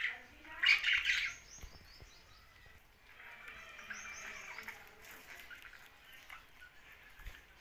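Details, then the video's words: Young budgerigar gives a short loud burst of harsh chirps early on, followed by softer continuous chatter and a few thin high whistled notes, with faint background noise. "Young Budgie's Sound's"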